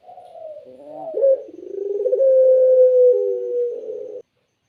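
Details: Island collared dove with a clear, melodious voice, giving a drawn-out coo. A soft wavering start rises into a long, steady, mellow tone that holds for about three seconds before stopping abruptly. Quiet surroundings.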